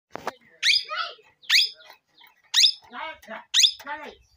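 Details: Parrot talking: a sharp click, then a string of harsh, speech-like squawked syllables with falling tones, in paired bursts about once a second, in a quiet room.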